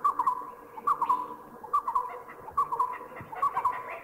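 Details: Oriental pied hornbill in Thailand, giving clusters of short, yelping cackles in groups of two or three, repeated roughly every second against a quiet background.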